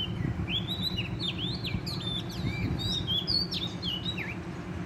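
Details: Oriental magpie-robin from the wild singing vigorously at a trap: sweet whistled notes swooping up and down in a lively, continuous phrase above a low background hum.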